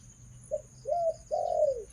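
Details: A female Spotted Dove, a decoy bird, gives a short coo, a rising-then-level coo, and a long arching coo that slides down at the end, with a low background hum.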